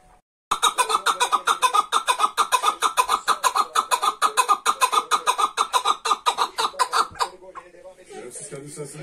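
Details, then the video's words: Partridge calling: a fast run of harsh, clucking notes repeated about five times a second for roughly seven seconds, then fading into quieter background noise. "Çılgın Keklik sesi mükemmel Partridge, kaw, kav"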